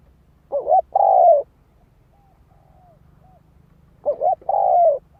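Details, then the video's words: Cooing spotted dove used to stir up birds: two phrases several seconds apart, each a quick doubled coo then a long, even, gently falling coo, otherwise quiet. "Tiếng chim cu gáy kích mồi cực sung"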